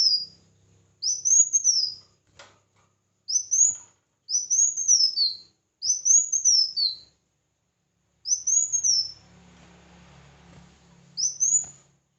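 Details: Competitive singing by a red-whiskered bulbul: a run of seven bright whistled phrases that rise and slur downward, with one sharp click early on and a low hum near the end.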